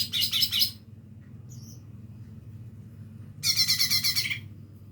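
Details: Young lesser green leafbird learning to sing: two loud, harsh, rattling bursts of rapid buzzy pulses, each under a second, separated by about three seconds of quiet with a low steady hum behind.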